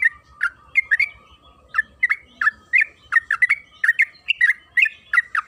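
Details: Yellow-vented bulbul (trucukan kebo) used as a lure to make bulbuls sing: bubbly, liquid chirped notes in quick pairs that run into a steadier stream of phrases, with a constant faint hum behind.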